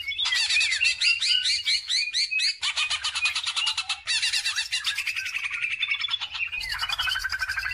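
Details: Kept greater green leafbird singing as a training lure for other birds: dense, fast, varied chattering phrases with scratchy trills and rolling whistled notes, delivered nonstop with brief breaks between bursts, low hum underneath.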